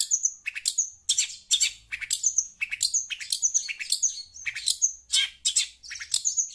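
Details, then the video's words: Chatty shrike (pentet) calling in response to a phone's sound: loud, high, harsh chattering notes mixed with short whistled squeaks, delivered in quick bursts roughly three times a second throughout, with faint low hum beneath. "Burung pentet cerewet dengar suara hp"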